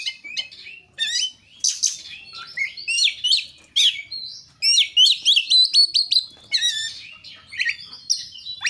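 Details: Varied kacer song, the Oriental magpie-robin, meant to coax a bird into full song: rapid high chips, twisting whistles and trills run together, with a dense rhythmic passage in the middle.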